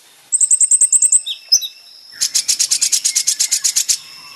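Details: Kolibri ninja song from a caged-bird training recording: a crisp, fast series of very high chips, a couple of sharp slurred notes, then a rougher, buzzy repeated trill.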